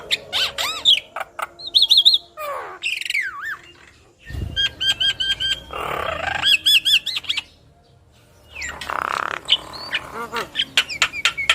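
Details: Yellow-eyed Javan myna in full vigorous song while nodding: rapid rising and falling whistles, harsh grating bursts and trilled phrases, broken by two brief silences.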